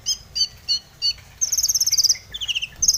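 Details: Long-tailed shrike singing in a lively lure recording used to make other shrikes sing: four harsh, squeaky double notes, then a fast, shrill chattering trill, a short twittering phrase and a final burst of rapid high notes.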